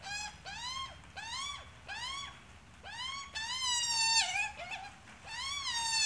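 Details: Adult Australian magpie with chick, uttering arched, slurred harmonic squawks, then longer drawn notes that waver and break roughly, followed by more short rising cries.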